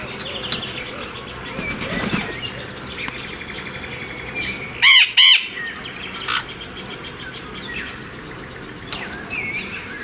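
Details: Blue-winged (Illiger's) macaws after a bath: two loud, harsh back-to-back squawks, with softer chirps and rustling wing sounds scattered through the rest.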